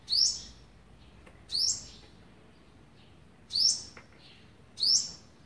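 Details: Olive-backed sunbird feeding young, eleventh day, 27 November 2019: four bright high descending chirps, spaced one to two seconds apart, with a faint low hum beneath.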